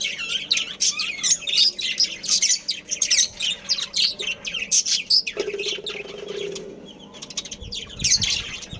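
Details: A budgerigar breeding colony. Thick, fast twittering and squawks continue for five seconds, then a low steady hum takes over briefly before the chirping resumes.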